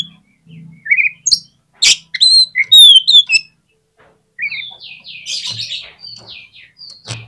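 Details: An oriental magpie-robin sings to draw out a reluctant magpie-robin: rising whistles, sharp clicks and loud piercing whistled phrases, a gap, then a softer run of buzzy descending notes over a faint low hum.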